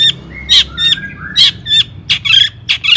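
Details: Varied harsh notes and short whistled slurs from a long-tailed shrike, sung as a lure to set other shrikes singing; scratchy bursts alternate with thin gliding tones.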